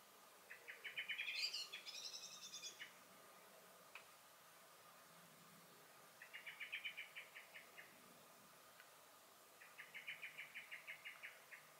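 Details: Garden blackbird in May 2021, switching between song and alarm calls: a varied warbled phrase with high squeaky notes, then two bursts of rapid, evenly spaced chinking notes a few seconds apart.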